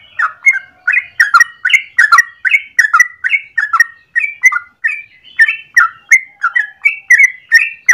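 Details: Trucukan, the yellow-vented bulbul, delivering a long morning 'ropel' song meant as a lure or master for training: a dense, continuous run of bubbling, chirpy whistles over eight seconds, notes crowded close together.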